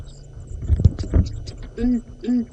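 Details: Southern Ground Hornbill calling in the African bush from a marula tree at sunrise, late February, Sabi Sand, South Africa: two deep, hollow booming hoots about half a second apart, after a man's quiet voice and low engine rumble.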